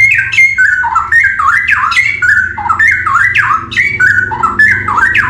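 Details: Straw-headed bulbul from the forest delivering a rapid, continuous stream of loud gurgling whistles, each note swooping downward before the next bubbly burst, with a quiet low hum behind.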